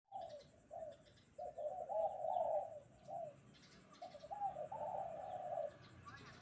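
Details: Spotted dove calling on a bright morning: low, mellow coos in two phrases, each a short note, then longer drawn-out rolling coos, with a pause between phrases and a faint high hiss behind.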